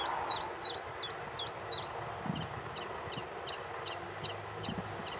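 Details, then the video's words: Aylesbeare Common, 16 June 2020: common chiffchaff with five loud, high clipped notes at an even pace, then softer, more distant repetitions of the same pattern amid faint background noise. "Chiff Chaff"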